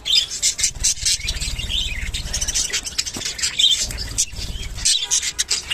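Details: Rainbow budgerigars in a mating call session: dense overlapping chirps, warbles and squawks from several birds, continuous busy chatter with a low rumbling hum underneath.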